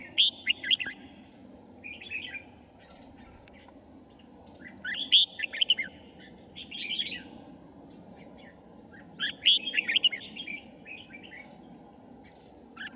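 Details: Red-whiskered bulbul singing at a trap set for wild birds, 5 January 2018: lively chattering warbled phrases repeated in bursts every few seconds, separated by short quiet gaps with a soft background hiss.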